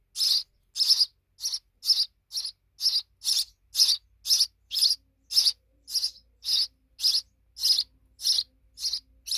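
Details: Sparrow babies now big keep up a fast series of harsh chirps, nearly two per second, about eighteen in a row with little pause.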